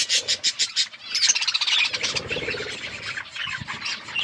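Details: Eating and playing budgies: a string of evenly spaced harsh chirps opens, then merges into continuous rolling high-pitched chatter that slowly softens.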